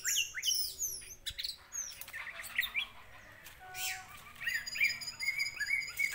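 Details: Orange-headed thrush singing, used as a lure to make another bird agitated and vocal. Rapid high notes, downslurred sweeps and short whistled phrases run into scratchy trills, with brief softer pauses.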